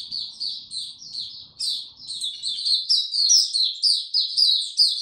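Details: Caged white-eye singing in warm, very humid weather, recorded 26 March 2022: a continuous, rapid run of high twittering, warbling notes, short slurred phrases following one another without pause.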